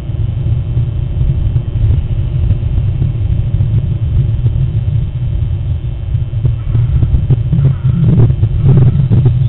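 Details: Heavy low rumble like wind or an engine fills the recording, with no animal voice.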